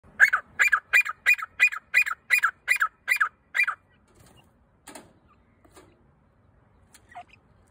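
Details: Partridge call: a series of ten loud, harsh, evenly spaced notes at about three per second, then near silence with only a few faint clicks and a soft distant note.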